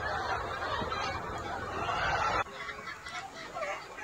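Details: A free-range flock of Gà Nòi, Gà Tre and crossbred chickens foraging in a wide yard by day makes dense overlapping clucks and squawks. A sudden drop halfway leaves quieter scattered calls over background noise.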